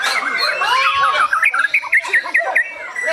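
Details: White-rumped shama in Indonesia giving a quick run of short, sharply rising whistled notes, about three each second, set against a thick background of overlapping bird chatter and squawks.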